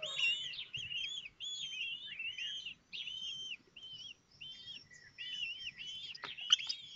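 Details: Hatching day, 19 May 2024, at a common kestrel nest in Théding, the other chicks being fed: steady series of high arched squeaky calls in short bursts with brief gaps, and a sharp click near the end.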